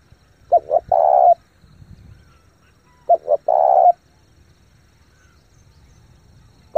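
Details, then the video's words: Spotted dove cooing at speed to stimulate lure birds and train novice decoys: two full phrases of two quick notes and a drawn-out coo, with the start of a third at the end. "chim cu gáy thúc gù tốc độ căng lửa kích mồi tập bổi cực mạnh"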